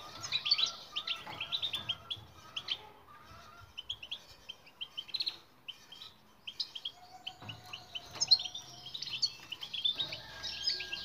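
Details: European goldfinch song used as a training recording to get silent birds to sing: rapid twittering of high, tinkling notes and short trills in bursts, with brief pauses and a faint low tone partway through.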